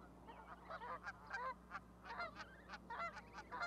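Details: Young goslings huddled with their mother on a raised osprey nest platform, Charlo, Montana, on May 12, 2020; dense run of quick, harmonic-rich peeps and chatter, nearly continuous through the short stretch.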